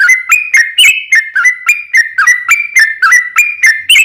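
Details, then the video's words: Long, continuous gacor ropel panjang song of a sooty-headed bulbul, played as a lure so a trucuk bird answers: quick, even, whistled two-note phrases repeated about every third of a second without a break. "SUARA trucukan gacor ropel panjang PANCINGAN TRUCUKAN agar bunyi JADIKAN burung trucuk gacor NYAUT"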